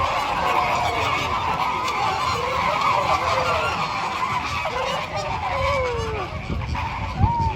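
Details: A flock of flamingos honking: many nasal, goose-like calls, some sliding down in pitch and some rising, overlapping steadily with a background murmur from the crowd.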